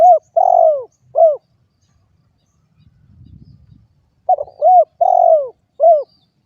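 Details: Spotted dove giving its cooing phrase twice, each a set of soft low notes with one long falling coo in the middle, separated by a quiet gap holding a brief low rumble.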